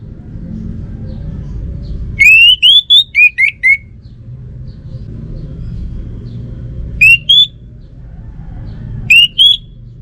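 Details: Orange-headed thrush from North Bali singing loud, clear whistled phrases. One burst of six rising and falling notes, then two shorter two-note phrases a few seconds apart, over a steady low rumble of traffic.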